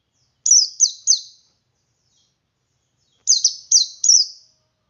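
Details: Male Oriental white-eye in ngalas song, meant to lure other white-eyes into singing: two bursts of three sharp, high slurred whistles, each note dropping in pitch, separated by a silent gap of about two seconds.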